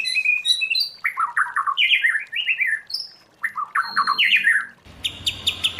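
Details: White-rumped shama singing in the wild forest-voice style, used for training song: varied clear whistled phrases, some rising and falling, mixed with rapid slurred trills, ending in a harsher buzzy burst of repeated notes.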